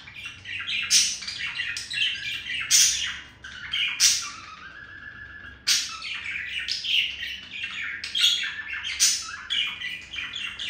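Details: Courting male budgerigar with a female, warbling in chirps and squawks with sharp beak-tap bursts, a quieter stretch mid-way, then renewed lively chatter.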